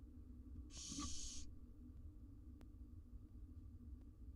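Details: Wild barn owl nestlings, four together in a monitored nest box in Israel with the mother out: a single rasping hiss lasting under a second, followed by quiet low background hum and a faint click.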